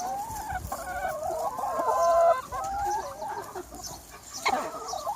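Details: Chicken flock ranging free on a sunny spring day; a rising, quavering squawk swells to a loud peak near the middle, surrounded by softer clucks and a sharp cackle toward the end.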